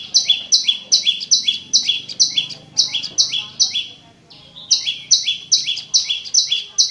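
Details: Prinia singing clearly, used to stir a silent caged prinia: brisk paired chirps, a high note followed by a lower one, repeated evenly with one brief gap near the middle.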